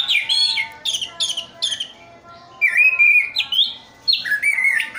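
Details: Song of a kept Orange-headed thrush from Sidoarjo, East Java: loud descending whistled phrases, a sustained clear whistle midway, then further sweeping notes after a short gap.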